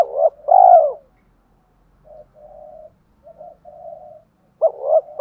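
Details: Spotted dove decoy coos meant to provoke fighting: a strong double coo with a long rolling note opens, soft low murmuring coos fill the middle, and another firm coo returns at the end.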